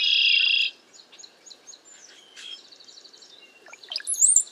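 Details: Cowbirds gathered as a group during bad weather and strong wind. A sustained buzzy note opens, then scattered soft chirps, a brief gurgle, and a sharp high whistle with chatter at the close.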